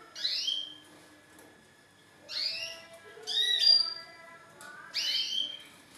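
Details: A male canary singing courtship song to a female to get her to adopt mating posture: short separate bursts of high rising whistles with quiet pauses between them.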